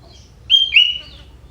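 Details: Sooty-headed bulbul, a young wild bird with prinia (prenjak) fill in its song, giving a single clear whistled phrase of two strong notes, the second sliding lower and trailing off.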